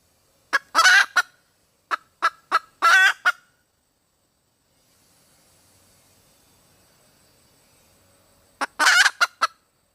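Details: Red junglefowl hen: a squawk with clucks, a run of four evenly spaced clucks ending in another nasal squawk, then near silence for about five seconds before a final squawk-and-cluck burst.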